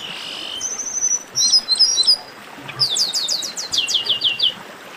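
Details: Baderna chorus of Chestnut-capped blackbirds: a thin, steady high note, scattered chirps, then a quick cascade of descending whistled notes in a tight series.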